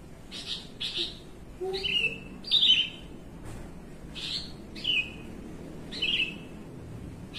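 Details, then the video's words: Javan bushlark in a cage performing 'melung panjang' song while relaxed: quieter, spaced whistled notes and short downward slurs, some softer than others, over a low background hiss. "BRANJANGAN MELUNG PANJANG"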